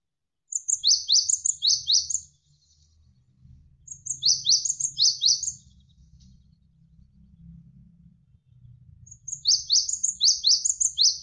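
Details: Javan sparrow, a tutor recording for training competition or pet songbirds, given as long dense 'shot'-like phrases: bursts of about six sharp, down-slurred chips with thin high notes above, repeated every four seconds over a soft low murmur of flowing water.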